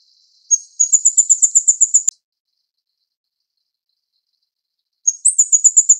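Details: Feeding chicks, a Taiwanese plain flowerpecker gives two bursts of very high, quick ticking notes about four seconds apart, each a steady rattle of around ten sharp clicks; the first cut off by an abrupt click.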